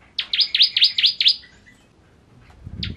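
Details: Bar-winged prinia, known locally as ciblek, uttering a brief series of five loud, sharp chirps followed by quiet and a low knock near the end.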